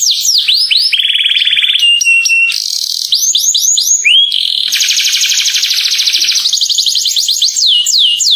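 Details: Atlantic canary song meant to draw other canaries into singing: looping whistled swoops, steady high trills and rapid chopped phrases alternating without pause, bright and clear.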